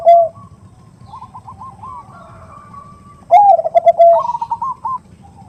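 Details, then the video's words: Perkutut, or zebra dove, heard as a female calling a male in the favoured 'nutut' style, used as a lure. A short low coo, soft higher stuttering notes, then a loud bubbling low phrase and higher trills. "Suara Khas Pancingan Suara Khung Suara Besar"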